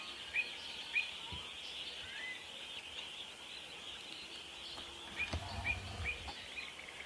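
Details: Pied avocets with chicks, protecting their young and in a territorial dispute; short, sharp, slightly downslurred notes come in scattered bursts over a steady hiss of background noise.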